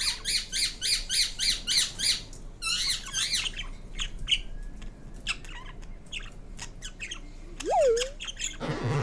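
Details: Pet green Indian ringneck parrot indoors: a fast series of repeated harsh rising squawks about four per second, then scattered chatter, a rising-falling whistle and a final noisy rustle.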